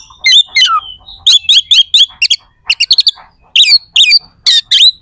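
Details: Oriental magpie-robin in full song, delivering coarse, sharp fill phrases meant to provoke rival birds into fighting. Rapid clusters of harsh, buzzy notes come in quick succession with brief pauses between groups.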